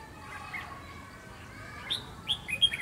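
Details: Red-whiskered bulbul in Vietnam, used as a decoy during bird trapping on 29 June 2020. Near the end come a few short, clear whistled notes, rising and falling, over a quiet hiss.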